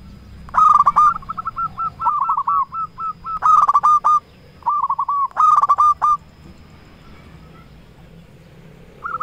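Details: Zebra dove of a local strain used as a rival-luring bird; dense, overlapping runs of quick rolling coos and harsh bursts fill the first six seconds, then near silence and one last short note.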